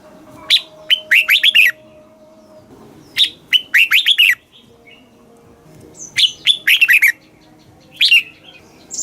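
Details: Red-whiskered bulbul kept in a cage in Thailand, singing the southern master-song style used to rouse birds and train young; three warbling phrases introduced by a sharp high note, each a burst of rolling slurred whistles.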